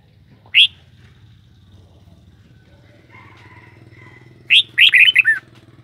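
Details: Red-whiskered bulbul producing one sharp whistled note, a long gap with a faint distant hum, then a rapid, chirpy phrase of four or five rolling notes dropping slightly at the end.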